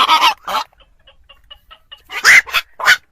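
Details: Black-crowned night heron calling, a lure for trapping birds at night around Tet: a dense burst of coarse, grating squawks at the start and end, with soft ticking notes in the gap between.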